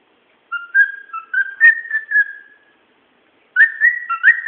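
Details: Pet bird whistling away: a phrase of clear mid-pitched whistled notes with short rising slides and stepped tones, fading out, then after a second of silence another warbled whistled phrase starts; quiet background.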